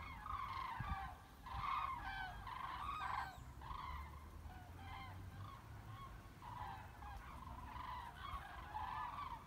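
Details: Migrating flock of common cranes over the Weser at Bremen, Germany, 30 October 2016, formations breaking up and re-forming, giving loud, rolling, trumpeting calls in overlapping bursts over a steady low rumble of traffic.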